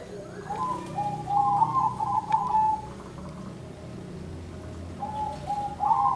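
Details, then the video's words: Zebra doves calling back and forth among blooming sunflowers; a rippling cooed phrase of about two seconds, then a shorter answering trill near the end, over a low background hum. "suara burung perkutut nan merdu"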